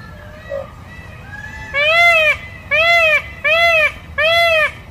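A peacock gives four loud, nasal, rising-and-falling honks in quick succession, each under a second long. Fainter bird calls come before them.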